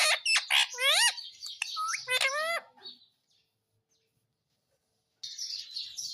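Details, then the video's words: Talking Indian ringneck parrot, a pet said to call "Mummy Mummy" and ask for roti, runs off a burst of rapid, squeaky, upward-sweeping notes for nearly three seconds, then falls silent before a faint hiss returns. "Mummy Mummy Bolne Wala Parrot || Talking Parrot || Mummy mitthu ki roti do"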